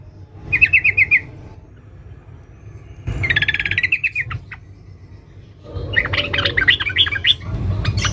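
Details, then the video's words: Yellow-vented bulbul female calling a male: a short buzzy run of rapid notes, then a longer, harsher rattle, and after a gap a jumbled burst of quick chattering notes, over a low hum. "Suara Trucuk BETINA Memanggil Jantan NGERIWIK RAPAT"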